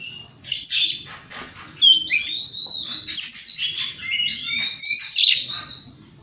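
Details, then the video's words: Oriental magpie-robin singing energetically in the morning, a lure song meant to provoke rival birds to answer; loud high whistled phrases with sweeping rising and falling notes and buzzy bursts, separated by short pauses, over a faint low hum. "Pancingan Kacer Gacor Pagi Hari Bikin Lawan AUTO NYAUT!!! Ikut Emosi"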